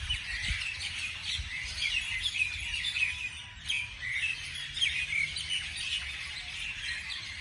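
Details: Beautiful morning birdsong: bright, overlapping chirps and tweets from several birds, with short descending whistles, a brief lull around the middle, and light background noise.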